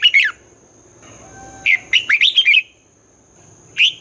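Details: Red-whiskered bulbul 'hót đấu' competition song, twisting style, meant for training newly caught birds: a short slurred phrase, a pause with faint background hiss, then a lively run of six quick warbled notes and another opening.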